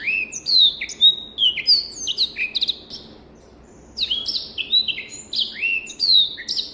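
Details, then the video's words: Black-throated canary song for teaching young birds: rapid bright warbling phrases of falling whistles, a silent pause of about a second in the middle, then more quick varied notes. "SOUND of BIRD BLACKTHROAT || FINCH SINGING || MASTERAN BLACKTHROAT"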